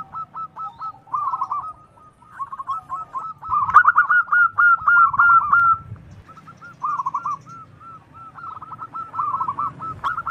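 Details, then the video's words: A local zebra dove with a big voice, used as a lure call, gives bursts of quick, staccato cooing notes, rolling and bubbly, in phrases of several notes with brief pauses between. "suara perkutut paling digemari langsung nyautt"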